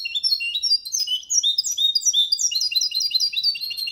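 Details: Caged male goldfinch × canary hybrid singing a clean Malaga-style song used to stimulate other males and teach young birds: quick high twittering phrases of rising and falling whistled notes and trills, continuous and varied.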